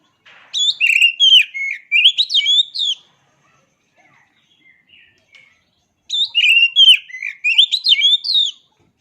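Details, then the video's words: Oriental magpie-robin (kacer) singing two energetic phrases of twisting whistles and sharp high chips, separated by about three seconds of near silence with a few soft notes. "Suara Asli Kacer Ini"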